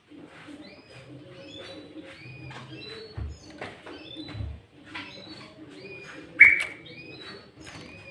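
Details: Sooty-headed bulbul lure song for trapping and tutoring birds, loud and said to include green leafbird notes: short, bright, chattering whistled phrases repeated several times, with one sharp loud note near the end.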